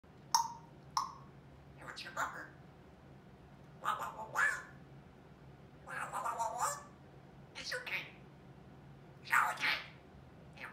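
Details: Female African grey parrot, 21 months old, kept as a pet with a growing vocabulary, chatting nonstop: a run of short word-like bursts, some sharp clicks, others slurred syllables, in a quiet room.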